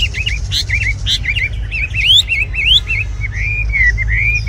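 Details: A tame caged red-whiskered bulbul sings lilting whistled phrases, short curling notes interspersed with longer sweeping upward slurs, delivered in a lively, continuous flow.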